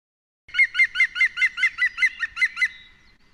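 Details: Green woodpecker giving its yaffle, a call likened to a high-pitched laugh: a clean run of about ten sharp, even notes at roughly five per second, trailing off slightly at the end, with nothing else audible.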